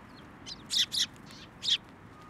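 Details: Sparrows coming to a hand for food at a Tenmangu shrine, 17 January 2024; a few short, sharp high chirps, two close together then one more after a pause, with a quiet steady background.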